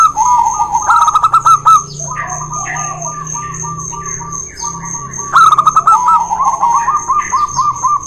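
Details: Zebra doves singing in a local versus white duel, played to coax silent doves: fast clipped coo series in two loud bursts with quieter rolling notes between, plus faint chirps of other small birds and a steady high tone.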